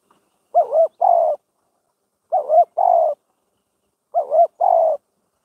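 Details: Spotted dove kept as a trapping decoy, cooing steadily. Three evenly spaced phrases come roughly every 1.8 seconds, each a bouncy double coo then a sustained lower coo. There is silence between the phrases.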